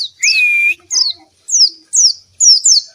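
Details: Oriental white-eye, used to stimulate and teach lazy birds to sing, gives a flat sustained whistle, then a string of sharp, high, falling notes in quick succession.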